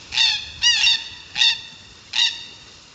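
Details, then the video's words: Forest Red-tailed Black-Cockatoo, a Southwest Australian black-cockatoo, gives four harsh, grating, rolling calls, each about a third of a second long, spaced irregularly over three seconds against a quiet background. "This is our red-tailed black-cockatoo. You can hear it's quite a harsh call."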